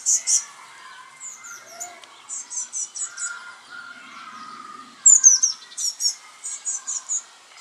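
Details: Young Eurasian blue tits give loud, very high, thin chirps in rapid runs of three to five notes, with a couple of longer pauses. Softer lower twittering sits beneath.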